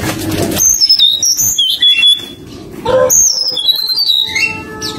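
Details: Forktail singing to draw out a rival: a run of high, thin whistled notes sliding up and down, then a second burst after a brief gap, over a low steady hum and faint music.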